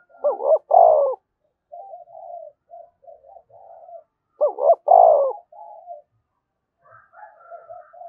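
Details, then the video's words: Spotted dove cooing, played to stimulate other doves to coo: two loud, wavering, throaty coo phrases about four seconds apart, each followed by soft, low, murmuring coos, with faint higher cooing near the end. "cu gay kich boi nhanh noi gù"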